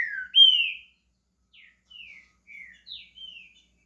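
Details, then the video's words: Green-winged saltator, a pet bird in Brazil, starting to sing: one loud ringing whistle that slurs downward, followed after a gap by four short, soft whistled notes. "Trinca ferro SHREK começando a cantar"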